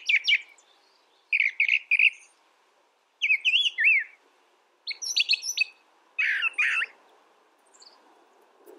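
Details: Brown thrasher pouring out a string of varied phrases, each roughly one and a half seconds apart: chirpy clusters, a zigzag slurred phrase, rasping doubled notes, with a faint low hum beneath.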